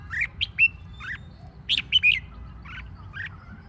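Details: Red-whiskered bulbul song meant to excite other bulbuls into competitive singing; chattering series of rich whistled and warbled notes, some rising, some falling, running nearly continuously before easing into softer chirps.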